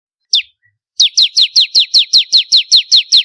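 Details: Bar-winged prinia singing vigorously, recorded as a master track for training contest birds: one sharp falling note, a short pause, then a steady run of about twelve high, steeply down-slurred notes, roughly five per second.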